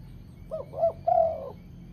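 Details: Spotted dove cooing phrase for luring wild doves: two quick rounded coos followed by a longer, level drawn-out coo, over a faint low background hum.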